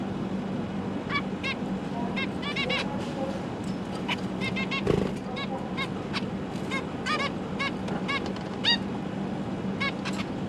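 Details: Zebra finch family with three juveniles and three newly hatched chicks, parents busy feeding, recorded 12 December 2022: many short nasal, tinny call notes scattered in quick clusters over a steady low hum.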